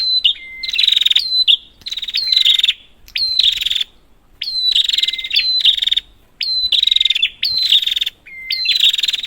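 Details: Prinia calls meant to make a quiet prinia sing: regular buzzy, rattling bursts about every second, each opening with a rising flick, with a few steady whistled notes and short pauses.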